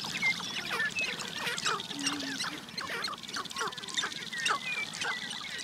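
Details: A busy North American grouse lek during mating dances: rapid dry clicks and pops overlap with short high whistled notes and one brief low hooting tone.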